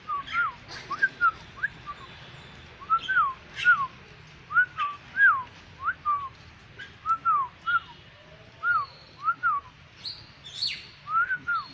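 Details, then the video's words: Vigorous song of a black-winged myna, a long run of pure arched whistles, often doubled, repeated roughly every second, with faint scratchy higher sounds between phrases and a low hum beneath. "Burung Jalak Putih gacor"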